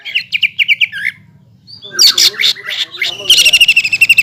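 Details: Provocative green leafbird song meant to make rival birds sing, said to hold kingfisher, magpie robin and shama sounds; a quick chain of chirps, a brief gap, busy scratchy warbling, then a fast buzzy trill.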